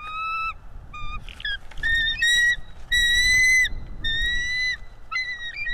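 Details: Bald eagle on a live nest cam, chasing an intruding stranger eagle away: a series of high, thin whistled chirps and piping notes, some rising and some falling, in bursts of several notes, with a low rumble of wind beneath.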